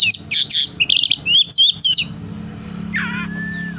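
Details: Oriental magpie-robin in afternoon song, set to fight a rival: a fast run of bright whistles and twitters for two seconds, then quiet broken by one harsh grating note.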